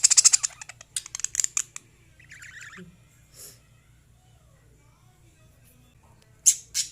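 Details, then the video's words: Lovebirds chatter in quick bursts of shrill, high chirps and squeaks, with pauses between flurries and one lower, harsher squawk in the middle. "Love birds singing and chirping sounds"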